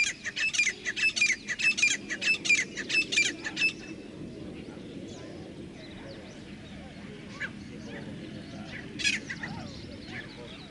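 Grey francolin giving a loud, harsh series of rapid repeated squawking notes for about four seconds, then a quieter stretch with faint background sounds.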